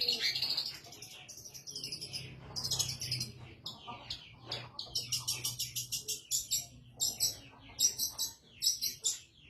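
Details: Caged long-tailed shrike singing lively after its cage cover is opened: a varied run of high, sharp chirps and rapid buzzy trills, delivered in quick bursts with short pauses, with a low hum underneath.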